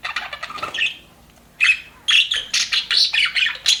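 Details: Budgies in an aviary, described as happy, trading harsh squawks and rapid chirps; a short lull, then loud burry chatter in quick bursts.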